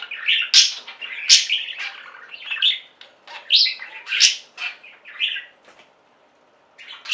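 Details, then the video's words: A pet budgerigar flock sings: bursts of scratchy, chattering warble and sharp chirps in uneven phrases, with a brief quiet pause near the end. "Most Beautiful Budgie songs Ever: Budgies singing and chirping"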